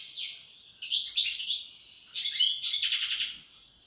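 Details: European goldfinch giving a falling whistled note followed by bright twittering phrases and a buzzy trilled ending.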